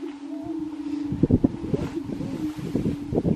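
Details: Lekking grouse in Colorado in 2023: a long, even, low droning tone with a brief whistle early on, then a flurry of low thumps and pops through the second half.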